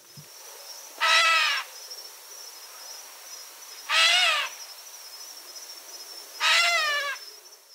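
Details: Gray catbird (Dumetella carolinensis), alarm call: warning of a predator or other danger nearby.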